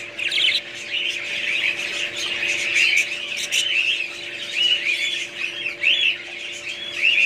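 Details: Group of budgies keeping up lively high chirping, with short arched whistled notes repeated almost once a second in the second half, over a faint low hum.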